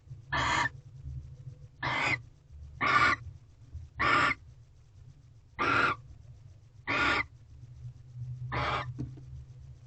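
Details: At a nest box in a corral, barn owls mating at night in February 2023 give short rasping hiss-screeches, seven in ten seconds at uneven gaps, over a low steady hum.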